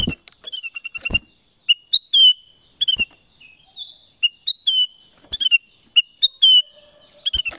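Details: Black-crested bulbul song: a lively series of clear whistled notes, mostly short downslurs and upward flicks, delivered in uneven groups with brief pauses and a few sharp clicks between phrases.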